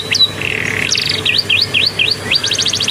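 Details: Canary trained with bar-winged prinia song: high chirps and a short buzzy stretch, then a series of quick rising check-mark notes and a fast rattling trill.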